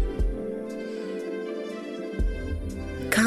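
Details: Soft, sustained music with low throbbing tones and a few sharp knocks; no animal voices are heard.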